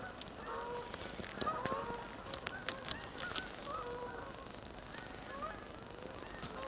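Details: Canada geese, some flying in and some already on the pond, at snowy Sapsucker Woods, Ithaca, New York, Thanksgiving Day 27 November 2014: a loose chorus of nasal, two-noted honks repeated irregularly, several birds calling over one another.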